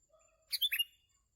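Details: Sooty-headed bulbul, used as a trapping lure: one short phrase of about four clear, fast, bubbling whistled notes, loud against a quiet background with a faint low whistle beforehand.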